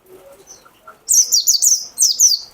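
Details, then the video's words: Mountain white-eye, a caged songbird: high, thin chattering phrases of rapid twittering notes, two bursts after a second of quiet, with faint low background sounds. "PLECI DAKUN WIT WIT WIT"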